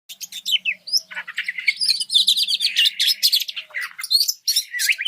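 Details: Oriental magpie-robin song used as a master recording to provoke other birds, a dense, rapid stream of varied chirps, sharp whistles and buzzy notes running almost without pause.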